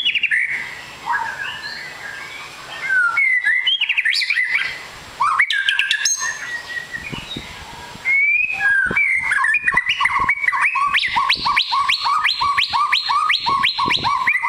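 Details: White-rumped shama, long-tailed fighter-type bird, singing varied whistled phrases with sharp rising notes, then a fast run of repeated clipped notes alternating high and low for several seconds; clicking noises between phrases.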